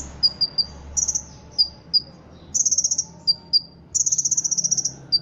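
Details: Ruby-cheeked sunbird, a contest-trained caged bird from Indonesia, singing a song filled with cricket, kapas tembak and cililin imitations. Very high single chips mix with fast rattling cricket-like trills lasting about a second each.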